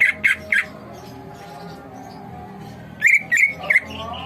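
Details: Greater green leafbird song: three quick whistled notes, a long quiet gap, then a short run of rising and falling whistles.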